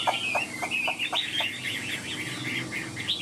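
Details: Chinese hwamei, a caged songbird with a fanned tail and wing display: continuous rapid twittering and whistled warbles, with soft knocking clicks in the first half.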